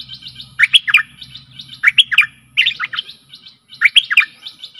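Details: Stripe-throated bulbul decoy song used to lure aggressive wild birds: four bubbly, warbled phrases of quick liquid notes, roughly one burst every second, over a faint low hum and a thin steady high tone.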